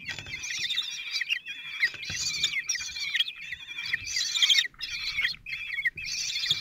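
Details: Common kestrel family, four 16-day-old young fed by their father at a nest in Théding, France, on 26 June 2023; shrill quavering chitters come in bursts of roughly a second, separated by short gaps.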